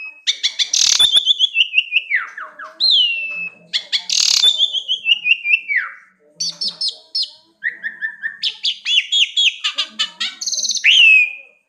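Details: Songbird pouring out a melodious, loud song of rapid repeated notes and clear whistled phrases, some sliding downward, others trilled, with brief pauses between bursts.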